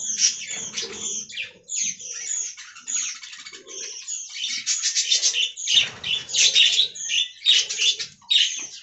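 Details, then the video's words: Aviary budgerigars in a colony trade quick chirps and buzzy warbled phrases that grow denser toward the end, with soft mid-pitched squeaks and faint rustling in the background. "Budgie Talking Compilation"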